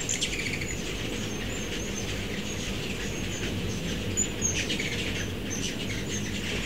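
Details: Migrating ruby-throated hummingbirds, mostly immatures, in a backyard in Starkville, Mississippi, in mid-September 2012, around many feeders; thin, very high squeaky chirps scattered through, over a steady low hum of background noise.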